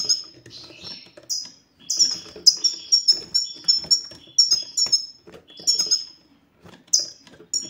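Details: 'Satsata' style song of a European goldfinch, said to make silent male goldfinches start singing: a lively, continuous twittering of high, sharp, slurred notes, with some softer chattering and a short pause near the end.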